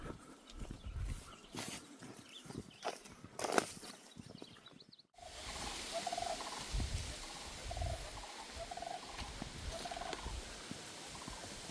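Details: Sandhill Cranes, a distant flock over open fields near a remote abandoned prison in the wilderness, give a steady chorus of rolling, trumpeting calls after footsteps and rustling, with breezy open-field noise.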